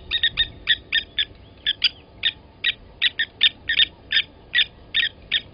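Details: Blacksmith lapwings at a Sabi Sand Wildtuin waterhole, South Africa, 07:47 on 08/29/20, while one adult grabbed and killed a chick from the nest; rapid metallic tink notes, often paired, in a long steady run of about twenty-five strikes.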